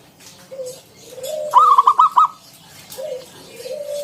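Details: Local zebra dove performing the 'ngalun kung bulat' song meant to lure other doves into singing: a single loud burst of five quick staccato coos, with soft sliding coos from other doves around it.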